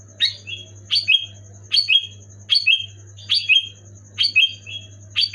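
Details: Sooty-headed bulbul singing loud and clear to set idle pet bulbuls singing: short two-part whistled phrases, a sharp note then a lower slurred one, repeated about every 0.8 seconds above a constant high tone and hum.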